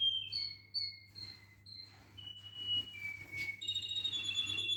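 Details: Canary singing: a series of pure whistled notes at shifting pitches, several sliding downward, followed by a dense, bright trill with layered high tones at the end; a faint low hum continues underneath.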